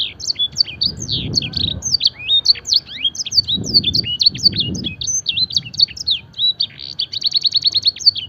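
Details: Canary mimicking blackthroat and edel sanger, a master recording for training: varied whistled sweeps give way to a fast trill of repeated identical notes near the end, with low rumbling bursts underneath.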